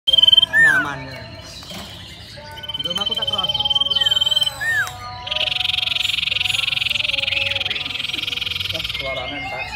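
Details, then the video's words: Common iora in full, long-lasting song: high, clear whistled notes, then a long, dense buzzing trill lasting several seconds; other chirps, human voices and faint background sounds are mixed in. "BURUNG SIRTU CIPOW GACOR"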